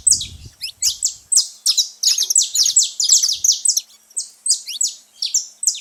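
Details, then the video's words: Saffron finches chattering noisily at a feeding spot: loud, rapid, high chirps and downward-sweeping notes, about three per second, with a brief low thud at the start. "canário da terra fazendo muito barulho na seva"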